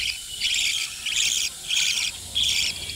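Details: Breeding colony of budgerigars: four regular pulses of high, fizzy chattering, roughly two per second, over a low background hum.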